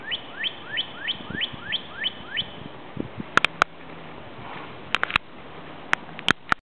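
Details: Northern cardinal in woods by a lake, recorded in the morning, gives eight clear, rising whistles, about three a second, then falls quiet while several sharp knocking clicks follow.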